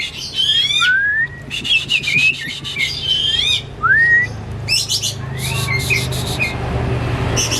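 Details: Pet Oriental magpie-robin kept for hobby and fed crickets and pellets, singing as a lure so a silent bird starts singing: loud rising whistles mixed with dense scratchy buzzes, over a constant low hum.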